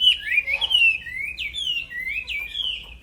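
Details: Black-throated laughingthrush, a kept songbird singing vigorously, recorded as non-stop training material for other songbirds: a flowing run of clear whistled slurs that swoop up and down, each phrase melting into the next without a pause.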